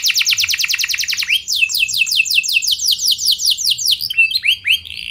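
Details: Canary song used as a lure to prompt other canaries to answer: rapid high trills of rising-falling notes, one tour after another, ending in looser chirps.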